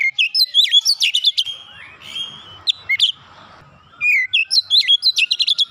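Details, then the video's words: Rapid 'nembak rapat' song of an Oriental magpie-robin, made of repeated up-and-down whistles with clicky notes packed between them. A drawn-out slurred whistle comes in the middle, then another lively run begins. "terapi Kacer bahan cepat gacor nembak rapat"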